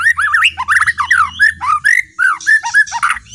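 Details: White-rumped shama, a kept bird, singing in a full, bursting style meant to provoke other birds: rich whistled phrases rising and falling, with loud, varied rapid notes.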